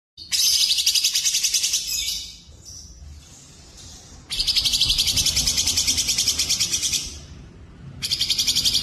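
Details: Songbird tutoring recording mixing grey-cheeked bulbul, cililin and canary: long rapid high trills of buzzy repeated notes, a quieter gap with softer twittering, then another fast trill starting near the end, over faint low hum.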